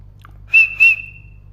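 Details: Parrot making a single drawn-out level whistle broken by two breathy pulses, trailing off softly.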